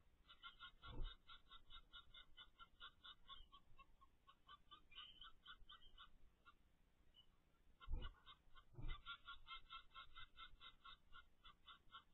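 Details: Ten-day-old captive zebra finch chicks give a constant stream of rapid, buzzy, wheezing begging notes.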